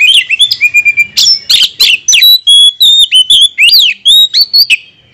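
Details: Oriental magpie-robin lure song aimed at provoking rivals: loud, varied whistles, steady pure tones, steep up-and-down slurs and clicks delivered in a rapid, unbroken stream for about five seconds.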